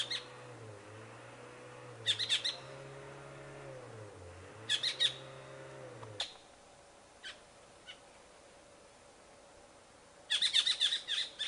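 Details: Asian Black Bulbul (Hypsipetes leucocephalus) perched on a tree branch, giving three bursts of harsh, squeaky chirps several seconds apart, with a low wavering mechanical hum in the background at first.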